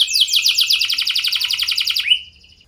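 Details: Canary song meant to provoke other canaries into answering: a fast, rolling trill of repeated notes that slowly descends, ending in a short rising whistle before fading out.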